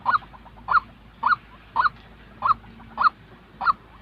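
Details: White-breasted waterhen, a real bird recorded to train decoy birds for trapping; seven hoarse rising notes evenly spaced about every 0.6 seconds over quiet background hum.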